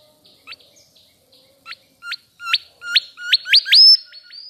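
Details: Chirping mangrove whistler: sharply upswept whistled notes that come faster and louder, building into a quick run that ends on a higher sustained whistle.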